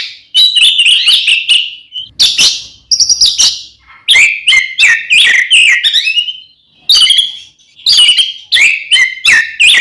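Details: Oriental magpie-robin, a kacer in full fighting song used to provoke rivals: loud, varied whistles and harsh buzzy notes, rapid chattering phrases mixed with sliding clear notes, short pauses between bursts.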